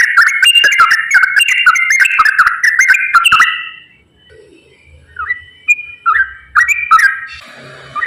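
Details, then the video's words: Straw-headed bulbul in rapid, continuous 'ropel' song, meant to coax lazy bulbuls into singing: rich bubbling whistles for about three seconds, then near quiet broken by a few short, separate whistled notes. "KICAU TRUCUKAN GACOR ROPEL SANGAT AMPUH UNTUK PANCINGAN TRUCUK MALAS BUNYI"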